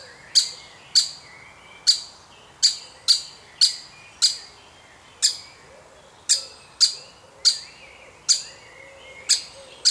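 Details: Baby woodpecker of a family, being fed; rapid, sharp, high chirps, often in quick pairs, run for about ten seconds with faint low twittering behind.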